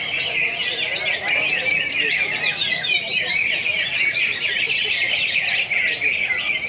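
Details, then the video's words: Contest singing of greater green leafbirds (cucak hijau) in Pontianak, West Kalimantan, 3 April 2016: dense high-pitched warbling and fast twitters, swelling in intensity midway, several birds overlapping. "BURUNG CUCAK HIJAU"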